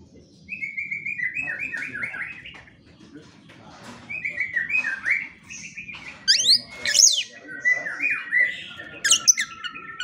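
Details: White-rumped shama singing for songbird training, morning and evening: series of descending whistled phrases with high sharp upsweeps, over a faint low background hum.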